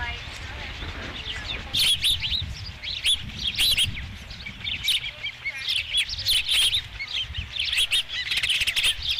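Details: Osprey calling at its nest on 5 July 2016 around the first fish delivery: a rapid series of high, sharp whistled chirps, often rising then falling, in dense bursts with short gaps and a low rumble of background noise.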